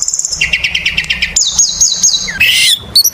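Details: Oriental magpie-robin (kacer) in energetic lure song: a high whistle, a fast run of repeated rising chirps, then clear level whistled notes and a harsh buzzy phrase ending in sharp upslurred notes.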